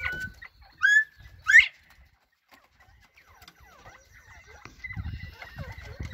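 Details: Northern bobwhite: two loud upward-sweeping whistles, then a pause and a soft run of quick falling chirps, joined later by low rumbling noise.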